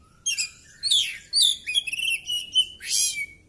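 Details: Oriental magpie-robin singing during a fighting display with tail spread: a continuous string of sweet slurred whistles and buzzy trills ending in a rich rasping flourish.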